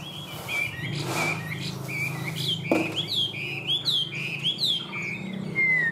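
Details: Tame Chinese hwamei, a Vietnamese cage bird, delivering a varied song of looping, rising and falling whistles that run one into the next, ending in a long downslurred note, with a low hum behind.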